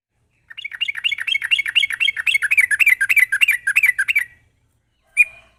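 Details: Sooty-headed bulbul delivering a sharp, rapid-fire chattering burst, meant to coax untrained bulbuls into song: nearly four seconds of fast, bubbly warbled notes run together, then a single loud chirp after a pause.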